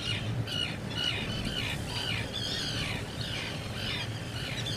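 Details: At a nest burrow during the breeding season, a black guillemot gives a run of harsh, squeaky calls, each a short rasping note repeated rapidly for several seconds, with a faint low background hum.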